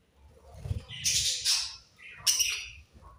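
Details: Two loud bursts of scratchy, buzzy budgie chirping, each lasting about half a second, over a low rumbling background.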